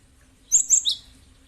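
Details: Cinereous tit (gelatik batu) used as a calling lure: a single quick burst of three high, sharp chirped notes lasting half a second, then quiet with a low steady hum.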